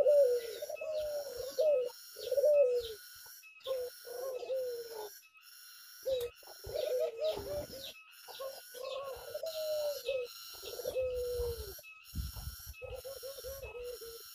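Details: Tame dove in the open outdoors, giving low, wavering coos in short phrases at irregular intervals, while high, thin chirps of other birds ring steadily above.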